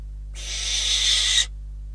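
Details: Harsh, noisy screech lasting about a second, swelling slightly louder toward its end, from barn owls at a Catalonian nest cam on 12 December 2021 as a bird and then a rodent were delivered as prey.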